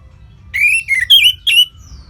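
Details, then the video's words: Orange-headed thrush, a caged songbird from Singaraja, North Bali, delivering four loud whistled phrases, the first two falling slightly, the later ones higher and ringing, with brief pauses between. "ANIS MERAH Ngeplong Lemas"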